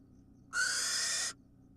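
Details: Wild barn owl at feeding time giving one loud, broadband rasping hiss of nearly a second, abrupt start and end, in a quiet nest.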